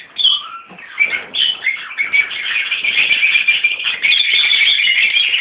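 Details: Mixed colony of Peach-faced and Fischer's Lovebirds, adults with young, kept together: a few sharp squeaks and a lower short call at first, then a rising wall of shrill overlapping chatter.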